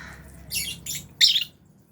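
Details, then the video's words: Aviary lovebirds, albino and Fisher's, kept with budgies at feeding time. Three harsh, high squawks about a third of a second apart, the last one loudest, against a quiet background. "Lovebirds Chirping Sounds"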